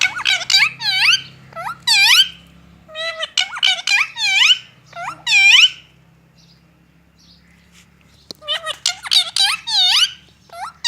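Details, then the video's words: A parrot saying "I love you" and "good morning" in squeaky, high, word-like phrases, three quick bursts, then a pause and a final burst, in a quiet room. "Parrot says I love you and good morning"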